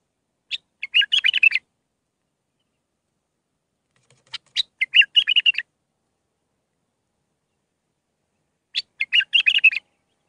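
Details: Bulbul song for training young birds, Mandalawi style with six phrases: three separated bursts, each a few sharp clicks leading into a rich, bubbling warble, spaced about four seconds apart in silence.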